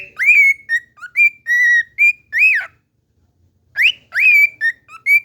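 A cockatiel whistles a short tune of rising and falling notes, then repeats the same phrase.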